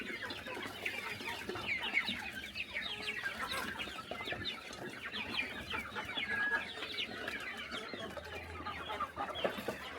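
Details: At a countryside chicken farm during morning feeding, a large flock fills the air with dense, bright chirping and cheeping, steady from start to finish.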